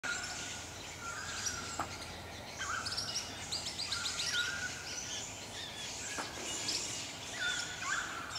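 Swift parrots chatter as a flock: overlapping high, thin, metallic chirps and piping notes in quick bursts, with some lower whistled calls and a steady outdoor background hiss.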